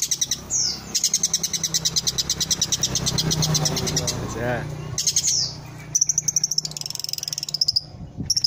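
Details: Village-type long-tailed shrike song used as a tutor recording for caged birds: long strings of rapid, high, ticking pulses, a brief buzzy descending phrase midway, then clipped repeated notes and a high sustained whistle, with low hum beneath.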